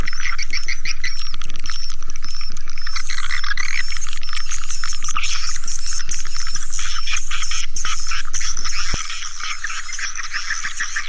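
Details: Swiftlet lure call played to attract swiftlets: dense, fast, high twittering chirps repeated about four times a second over a constant low electrical hum, which drops in level near the end.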